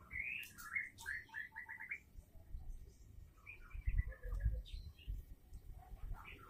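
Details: Female white-rumped shama calling, used to spur males into singing: a burst of rapid, varied chattering notes over about two seconds, then scattered softer phrases amid low rumbling background noise.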